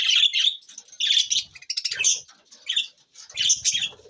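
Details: Budgerigars kept as pets chattering: bursts of warbled, scratchy chirps and squeaky twitters in clusters about every second, with faint low fluttering sounds.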